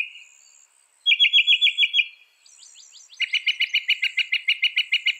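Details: Northern mockingbird song built from mimicked notes, the bird credited with 200 sounds: a run of six loud slurred whistles, brief soft chips, then a long fast series of about fifteen repeated sharp notes.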